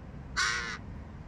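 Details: Hooded crow fledgling begging from adult crows that are not its parents and will not share food: a single harsh, nasal, drawn-out rasping call lasting under half a second against quiet background noise.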